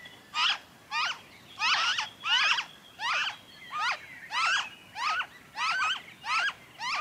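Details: Noisy friarbird in Victoria, Australia, February 2023, pouring out a rapid, uneven chain of harsh, chattering notes, some bunched in doubles, over a faint high whine.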